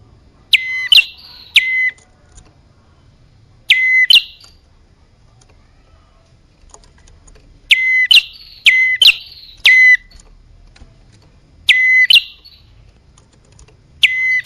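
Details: Bar-winged prinia lure sound for attracting both sexes: widely spaced clusters of shrill double notes, a downward sweep into a flat whistle and a rising chip, with longer quiet stretches between groups.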